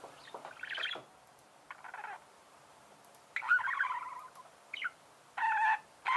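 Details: Budgerigars in song, mixing scratchy chattering bursts, quick warbled trills and a few clear whistled notes, delivered in uneven phrases separated by brief quiet spells.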